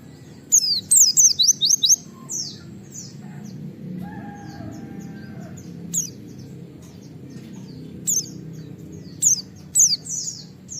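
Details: White-eye in the wild making the 'wit wit' call that draws other white-eyes to call: a short fast burst of high falling whistles at the start, then isolated chirps every second or two over low rumbling background.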